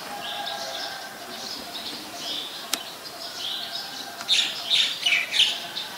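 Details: Ashy woodswallow calling at Ubon Ratchathani, Thailand, on 14 December 2019: faint high chattering at first, then a rapid louder series of sharp, grating chirps toward the end, with one brief click.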